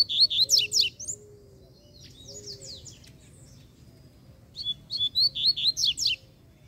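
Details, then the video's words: Free-flying Double-collared Seedeater (coleiro) in Brazil, sounding aggressive and calling out to fight: fast bursts of high sharp notes rapidly repeated, a quieter warbled middle phrase, then another rapid run of strong notes. "Essa aí parece que é mais braba, hein? Já vi chamar pra briga já, ó."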